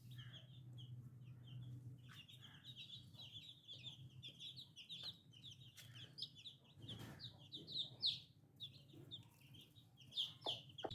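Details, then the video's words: Many little chicken chicks peeping almost nonstop, bright high chirps overlapping, some louder descending peeps toward the end, with a low hum and occasional knocks underneath. "Chicken Free Sound || Funny Chicks baby || New Little Chicks"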